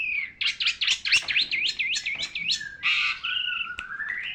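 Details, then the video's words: A long-tailed shrike sings as a tutor for training birds, a fast run of looping, warbling up-and-down notes, then a harsh rasp and a long, lower whistled glide that rises at the end. "pentet pemandu suara"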